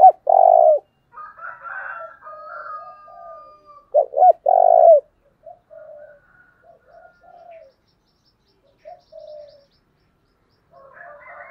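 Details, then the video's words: Spotted dove kept as a decoy to lure wild birds, giving loud deep coos, a double note and then a drawn-out coo. Quieter coos and thin whistles from other birds fill the gaps between phrases. "Cu mồi thúc vầy chịu gì nổi"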